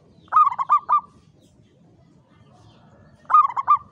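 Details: Zebra dove, locally perkutut jawa, caged in a classic Mataraman cage, repeats a brief klowongan phrase of four quick, bright coos, then repeats it after two seconds of quiet.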